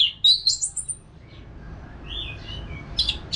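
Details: Orange-headed thrush giving a short flurry of high chirps, then soft lower whistled notes and a final sharp chip, recorded as a therapy track for caged birds in Bali.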